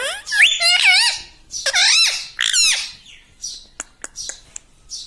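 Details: Parrot kept as a talking pet, saying 'mitthu' and 'mummy', utters two loud warbling speech-like phrases, then only faint high squeaks and clicks in the second half.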